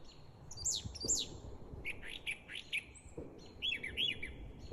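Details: Brown thrasher singing a varied run of sharp, slurred phrases, some doubled, with quick downward and rising notes; faint background rumble, possibly distant gunfire from Fort Gordon, Georgia.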